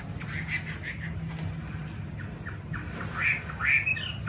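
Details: A pet laughingthrush ('khứu mun'), kept uncaged and free-flying at a house in Saigon, gives harsh, squawky calls in short bursts, loudest near the end, over a steady low hum.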